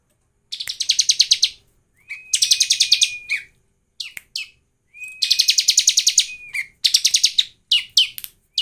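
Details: Bar-winged prinia, a lure recording meant to get other prinias singing, giving about one-second bursts of fast, buzzy, high chattering notes, with thin whistled tones and short sharp chips between the phrases.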